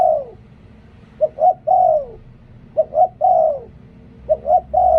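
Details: Liu tan song of a spotted dove kept as a decoy bird: several coo phrases, each a short note, a lifted second note and a long sliding-down final coo, spaced about 1.5 seconds apart over a soft background rumble.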